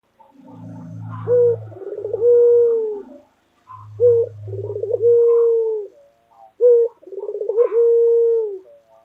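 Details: Local white collared dove cooing loudly in the 'gacor dor' style: a sharp opening note, a rolling burbling trill, then a long steady mid-pitched coo, repeated about every three seconds, with a brief low humming noise early on.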